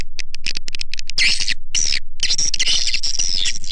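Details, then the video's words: Lure call for attracting swiftlets: a quick series of clicks leading into sustained, shrill twittering with some whistled notes. "SUARA PANGGIL WALET"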